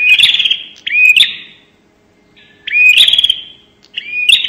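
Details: Bar-winged prinia in 'nembak' lure style: scratchy, buzzy notes with clicks and a rising whistled slur, in two pairs separated by a silent pause of over a second.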